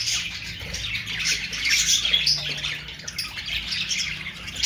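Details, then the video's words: Budgerigar, called an Australian parrot: busy, high-pitched chattering with squeaky twitters and warbles running without pause, over a faint low hum. "Austrailian perrot sound"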